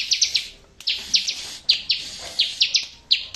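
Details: ['Bar-winged prinia song meant to provoke replies from birds that quit singing: spaced, emphatic chipping notes sliding downward, over a faint sustained whistle.']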